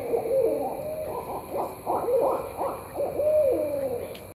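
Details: Barred owls calling, several loud rhythmic hoots and wavering caterwauling notes overlapping, low and throaty with sliding ends, continuous over four seconds, with a steady high insect-like hum in the background.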